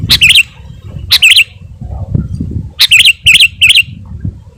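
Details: Sooty-headed bulbul (Pycnonotus aurigaster), a bird whose singing is used to draw in wild birds and provoke rivals, giving short bubbling whistled phrases, two brief bursts then three quick ones in succession, over a low rumbling background.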